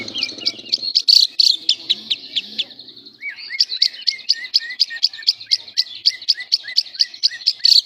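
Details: Lovebird in semi konslet gacor song, used as a master for tutoring other lovebirds: high chattering notes, then a long run of rapid, evenly spaced sharp chirps with downward-slurred tails.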